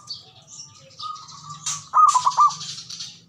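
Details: ['Male zebra dove lure call meant to make mute doves start calling; one quick rolling, stuttered coo phrase arrives near the end, preceded by thin high chirps and a sharp burst from other birds']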